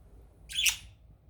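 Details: A budgerigar coming out of its cage in the morning gives a single harsh, scratchy squawk lasting about a third of a second.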